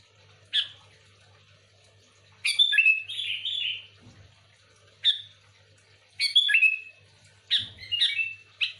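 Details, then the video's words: Lively singing of a sooty-headed bulbul used to call in other bulbuls: single sharp notes alternate with rolling, liquid whistled phrases that fall in pitch, spaced irregularly, plus a couple of soft low thuds. "Suara burung kutilang gacor full Asli,,cocok untuk pikat Kutilang ribut"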